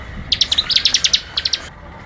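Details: Bar-winged prinia in vigorous song for bird tutoring: one short burst of about a dozen sharp, high chipping notes, evenly spaced, then a brief faint tail of three more.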